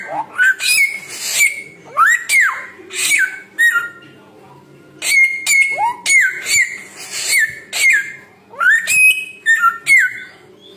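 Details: Samyong bird in full song: bursts of rising and falling whistles with rasping noise, a short pause, then more whistled phrases.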